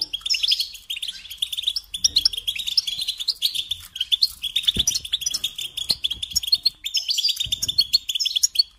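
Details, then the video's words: Continuous European goldfinch song, a long unbroken stream of rapid liquid twitters and tinkling trills at a steady high pitch, with occasional faint low thumps. "Supporting and Singing Along with Goldfinches"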